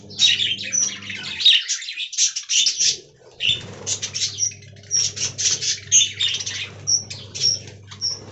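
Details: Colony of aviary budgies giving bursts of chirpy warbling with clear short whistles, a quiet gap near three seconds, then renewed rapid twittering over a low constant hum.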